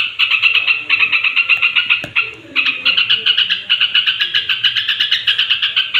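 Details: Straw-headed bulbul before sleep, singing to provoke other bulbuls; a steady rapid series of bright clipped notes, about four a second, with one short pause near the middle and a sharp click.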